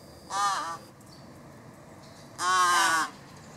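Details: A large-billed crow chick at an arbour begs for food but is ignored by its parent, giving two hoarse, drawn-out begging caws about two seconds apart, the second longer, over quiet background hiss.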